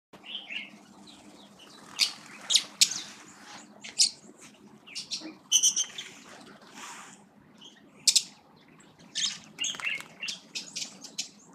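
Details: Village weaver (Ploceus cucullatus) at Sunbird Lodge near Lake Elmentaita, Kenya, giving harsh, buzzy chattering notes in uneven bursts, some rapid and sizzling, with a faint low hum underneath.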